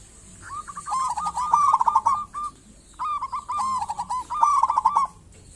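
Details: Local zebra dove as a lure for other zebra doves; long rippling phrases of fast, evenly pulsed cooing notes, two bouts separated by a short pause.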